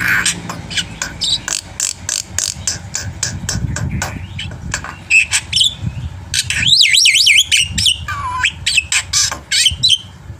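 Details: Black-winged myna in full varied song for prompting birds to sing: a rapid train of dry clicking notes, then looping whistled up-and-down slurs and a lower whistle, over steady low rumble.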